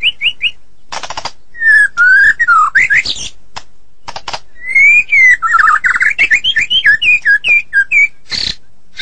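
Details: White-rumped shama from Medan singing at length: short whistled notes, harsh buzzy bursts, then a long flowing run of wavering whistles and quick chips, loud and varied.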